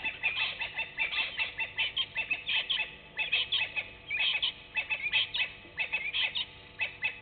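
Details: Egyptian goose at Gowrie dam waterhole, Djuma Game Reserve, Sabi Sand, South Africa, at 17:27 on 24 May 2019, gives a raucous run of harsh, nasal honks, about three or four a second, in uneven bursts with brief pauses.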